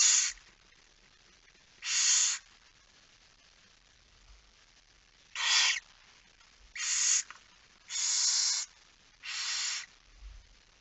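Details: Barn owl at the nest during night-time feeding, Friesland, Netherlands, 10 September 2019 around 22:45; harsh broadband hissing screeches in bursts, six in about eleven seconds, some short, some nearly a second long, over a quiet background.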